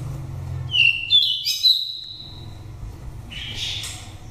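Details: Oriental magpie-robin from Daklak, nest-raised, five moults, singing a wild-type lure voice: one short burst of bright whistled notes, then a pause and a brief buzzy rasp over low background hum.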